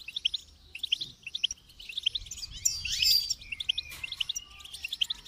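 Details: Goldfinch song of crisp, repeated high chirps several times a second, broken midway by a short burst of buzzy, tinkling trills, then returning to rhythmic tweets.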